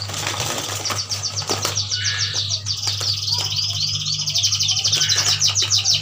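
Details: Captive yuhinas from Kalimantan, males and females kept as a group, singing busily: dense, high, rapid chattering trills repeated about three times a second, rising toward the end, with wing flutters, clicks and a steady low electrical hum.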